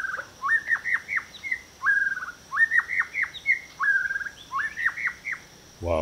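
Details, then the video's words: White-rumped shama at Turtle Pool hide, a pool made in Feb/Mar 2023 in Huai Khayeng Nature Park, Kanchanaburi, Thailand, sings rich, clear whistled phrases of rising and falling notes with short pauses, over a steady high insect hum. "Well, how delightful. A beautiful welcome to Turtle Pool from the white-rumped shama there."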